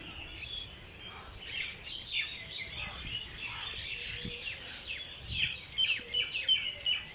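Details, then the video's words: Park birds at dawn in Lahore's Jilani Park: a soft start of scattered chirps builds into busier twittering, ending in a run of loud, clear whistled notes repeated in quick succession. "Birds sings in Jilani park Lahore early morning"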